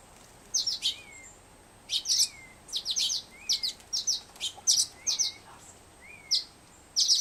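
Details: Fledgling Black-headed Grosbeak in care at a wildlife rehabilitation center, not yet feeding himself, asking for food with a soft whistle and trembling wings. A soft rising whistle repeats about once a second among clusters of sharp high chirps.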